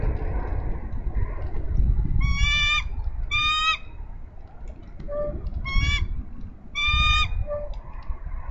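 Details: Female bald eagle at a Minnesota nest on 3 May 2013, on a nest camera, calling for her mate to relieve her from nest duty: four bursts of rapid, high, piping chatter with a few softer single notes, over steady low wind rumble.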